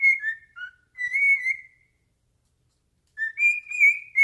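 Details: Singing at its owner's foot, a pet cockatiel gives a few falling whistled notes and a longer level whistle. After a silent gap, a rising whistled phrase begins.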